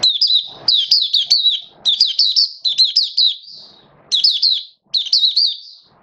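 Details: Oriental white-eye (mata puteh), caged songbird in form-building, 19 September 2022: nearly continuous high, sweet warbling, many rapid down-slurred notes strung together with brief breaks and faint clicks.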